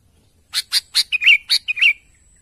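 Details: Lively sooty-headed bulbul calling to its companions: a quick run of about eight bright chirps, the first three higher and sharper, the rest bubbly and slightly falling, lasting under two seconds.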